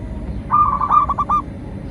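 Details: Zebra dove (perkutut) lure song: one brief phrase of fast, trilling coo notes ending in a few separated notes, over low background rumble.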